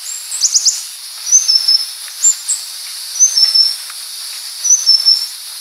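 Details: High, thin Purple-throated sunbird song (Leptocoma sperata): an opening flurry of rapid descending notes, then spaced two-part whistled phrases repeated about every two seconds, with constant hiss.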